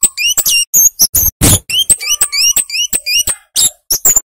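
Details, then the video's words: Flowerpecker, called cabe-cabean or kemade locally, singing briskly as a tutor recording for small birds: dense run of very high ticks alternating with repeated upslurred whistles, plus one brief broadband crackle. "Suara Burung Cabe Cabean / KEMADE Gacor Ngalas Ngeplong"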